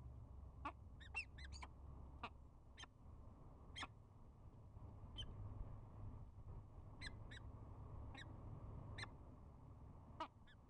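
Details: A pair of peregrine falcons at the start of the spring season, bowing and giving short, sharp chupping notes, irregular, about one or two a second, over a steady low rumble of wind or distant traffic.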